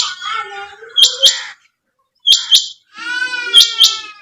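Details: Female quail calling: short, sharp, high double notes in bursts about a second apart, alongside sustained wavering tonal sounds resembling background music.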